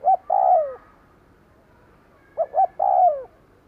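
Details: A decoy spotted dove coos to attract wild doves, giving two phrases about 2.5 seconds apart, each a couple of short hoots before a long, smooth coo that drops at the close. Quiet background.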